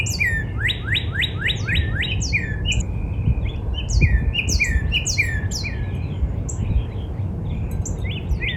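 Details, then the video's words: Backyard Northern cardinal in spring, opening with five loud whistles that each swoop downward in even rhythm, then a slower run of softer slurred notes; other birds chip high above, with low rumble behind. "Real Natural Spring Cardinal Bird Sound"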